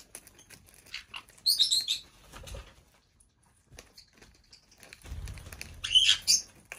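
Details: : two bursts of harsh chattering squawks from a 5-year-old female Black-headed parrot kept indoors as a pet, with low thumps and soft rustling between them.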